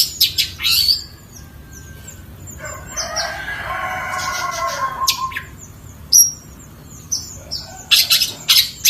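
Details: Long-tailed shrike delivering high, grating chatters broken up by sharp, thin whistles. A lower, noisy warbled stretch runs through the middle of the passage.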